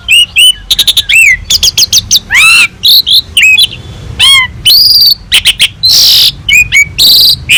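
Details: Prolific Asian pied starling, recorded as a master track rich in mimicked phrases for tutoring other songbirds: a rapid varied stream of looping whistles, down-slurred notes, harsh buzzy bursts and quick chip notes, almost without pause.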